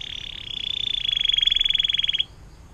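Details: A canary used as a model song for training other songbirds gives one long "fountain" trill of about two dozen quick, high, bright pulses over two seconds, then stops. Faint background hiss.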